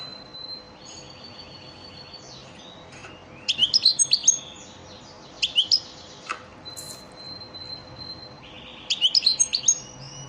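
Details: Elmacık-type European goldfinch lesson song used for training caged birds: three bursts of rapid, high twittering notes with a sharp tinkling quality, separated by quiet stretches with a faint steady hum behind.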